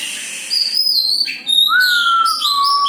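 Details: Oriental magpie-robin singing loud varied whistles, including a long steady clear whistle held for over a second under higher chattering notes, continuous and strong throughout.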